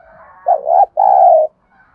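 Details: Spotted dove in thúc gù cooing used as a trapping lure: one hoarse doubled coo then a long, steady, slightly falling hoot.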